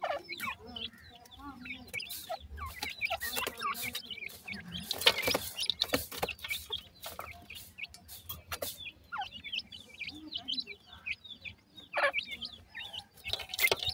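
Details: Young Sindhi teetar francolin chicks cheeping continuously: high, brief slurred peeps tumbling over one another, joined by scattered sharp clicks, bumps and handling noises throughout.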